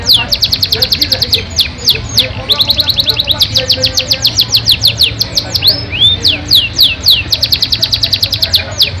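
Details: Yorkshire canary singing a long song with rich fills: rapid series of descending whistled notes at a steady fast clip, broken by a few slurred rising whistles, trills resuming afterward; faint low background hum.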